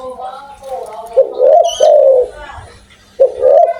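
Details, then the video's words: Spotted dove, described as a lively, loud-voiced caller, giving low mellow coos that rise slightly then fall, in two bursts about two seconds apart, with a faint background murmur. "tekukur gacor suara besar"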